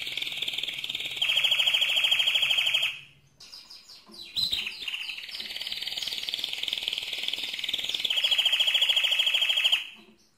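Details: Mosaic canary song, loud and sustained: long rapid trills around three to four kilohertz, a brief pause near the middle, then more fast rolling trills at steady pitch ending in a bright pulsed tour.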